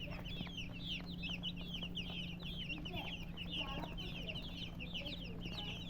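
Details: Busy chirping of colored chickens beside a murgi hen: overlapping high peeps that bend downward, unbroken for the whole stretch, over a droning electrical hum.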